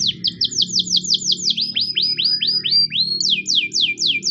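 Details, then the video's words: Training song of a Russian canary, made of bright descending whistles in quick even runs, changing pitch and tempo between phrases, with a faint low hum beneath. "Russian canary singing"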